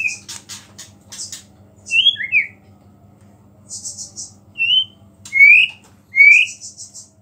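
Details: White-rumped shama singing with a small-bird fill, its voice said to provoke other shamas; brief bright whistled notes, some paired, alternating with short high buzzy chatters and pauses of silence.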